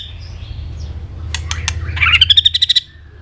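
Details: White-rumped shama in peak fighting form, singing and flicking its tail: a few sharp clicks, then a quick run of about eight bright repeated notes over a low hum.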